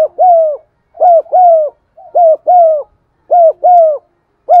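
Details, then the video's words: Spotted dove (cu gáy) cooing and giving driving 'thúc' calls, played to stir up and lure birds: repeated loud paired coos with a bending contour, one phrase about every second, clear and close. "tiếng cu gáy gù và thúc giọng son"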